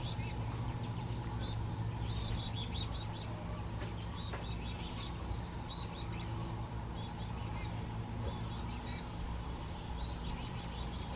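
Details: Black-capped chickadee with a fledgling on the San Juan Islands, June 8, 2024: bursts of very high, thin, rapid chattering notes every second or two over a constant low rumble and a steady hum.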